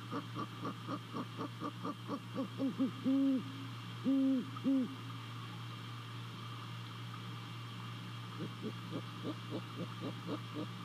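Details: A great horned owl visiting its nest near Savannah in late December before dawn gives two long, low hoots in a row. Around them come runs of short, softer pulsed calls, over a steady electrical hum.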